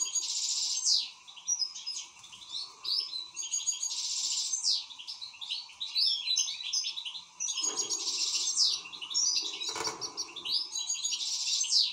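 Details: Excited European goldfinch singing a long unbroken stream of twittering, tinkling and buzzy notes with rolled trills, two dull knocks sounding midway.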